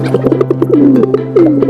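A pigeon gives two low, soft coos that slide downward, each lasting about a third of a second, over a steady musical backing.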